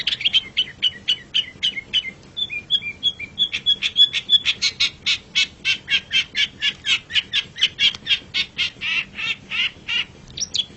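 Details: Long-tailed shrike song as master training audio: a long, even series of sharp repeated chips, about three or four a second, broken by a brief whistled phrase.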